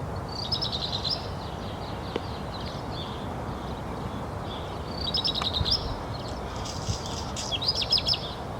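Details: Black redstart (Phoenicurus ochruros) song: short bursts of high, jingling, scratchy notes, three phrases spaced a few seconds apart, over steady low rumbling background noise.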